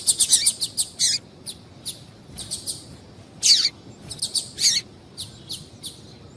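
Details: Female double-collared seedeater call meant to get males singing; lively, high chirps in quick succession, with some notes sliding downward, forming irregular clusters throughout.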